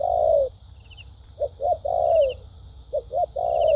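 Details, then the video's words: Spotted dove singing in the lèo dặm and thúc gù styles: a long husky falling coo, two quick short notes, another long drawn coo, then the pattern repeats. A steady background hiss sounds throughout. "Đồng tốt tiếng bài bản.clip 870.nết chơi thúc gù,lèo dặm quá hay"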